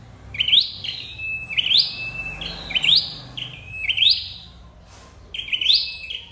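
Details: Red-headed flowerpecker trapping call: high, thin rising sweeps, each followed by a steady whistle, repeated five times at a brisk, fairly even pace.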